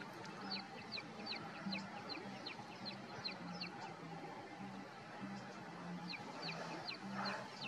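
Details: At Huacarpay Lagoon wetland near Cusco, Peru, a Wren-like Rushbird gives rapid runs of sharp, high, down-slurred ticking notes, several a second, over a low steady droning hum.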